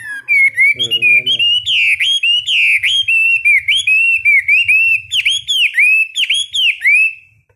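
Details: Morning training song from a caged Chinese hwamei kept for hard-rack singing: loud, nearly unbroken chain of clear whistled notes, each sliding down then up, with a brief low harsh call early on and a soft background hum.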